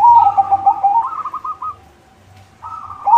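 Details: White zebra dove in strong song, intended to draw other zebra doves: a rippling cooing phrase running into a higher run of quick staccato notes, a brief silence, then the cooing resumes.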